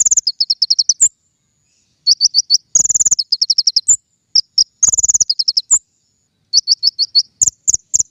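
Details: Lure song of the king konin for trapping birds: runs of rapid, evenly spaced high notes alternating with short ringing trills and a few sharp upswept whistles.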